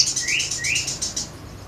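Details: Crimson sunbird giving a brief, rapid series of very high chirps, with two short rising whistled notes woven in, fading away after about a second.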